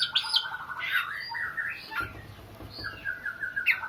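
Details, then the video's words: Oriental magpie-robin with a wailing song said to resemble a crying child: dense warbled whistles and slurred notes at first, then thinner sustained whistles and a final sharp chirp. "burung Kacer nangis tersedu"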